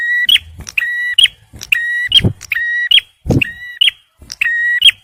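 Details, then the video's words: Close, loud song of a male bar-winged prinia used to lure and stimulate stressed birds: ringing buzzy notes, each with a click at start and end, repeated in quick succession, with a couple of brief thumps. "TEMBAKAN PRENJAK MERAH JANTAN || CIBLEK SUPER GACOR"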